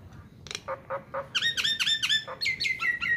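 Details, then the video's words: Nias hill myna song used as a training recording for songbirds: harsh squawks and clucks, then loud ringing whistled notes with sliding pitch, some descending, in a rapid varied sequence. "MASTERAN AMPUH || Jalak Nias GACOOOR"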